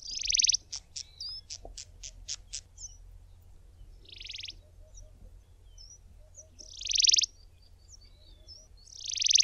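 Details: Grey-backed Cisticola in fynbos shrubland giving its typical calls: harsh, buzzy rasps every two to three seconds, with a quick run of sharp ticking notes near the start; faint chirps from other birds behind.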